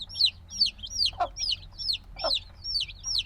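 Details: Black chicks hatched only days earlier, noisy and still needing the mother's warmth: clean, shrill, falling peeps spaced about every half second, with two short lower thuds between them; binaural recording.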